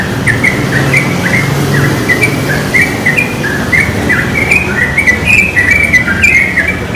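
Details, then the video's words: Lively chattering from wild yellow-vented bulbuls in a pine tree, bubbling notes tumbling quickly and overlapping, with steady low rumbling noise throughout. "Trucuk liar di pohon pinus gacor sekali"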